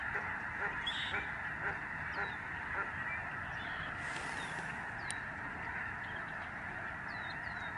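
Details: A vast migrating flock of Lesser Snow Geese calls overhead above the farm fields and marshes of a Canadian bird sanctuary in November 2011. A continuous wall of overlapping honks carries sharper yelps scattered throughout.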